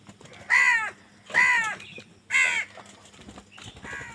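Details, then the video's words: Three loud, evenly spaced grating caws, about a second apart, as crows compete for food, then a quieter call at the end. "কাকের ডাক Crow Sound Crow ki Awaz Loudly | Crow bird Fight for Food"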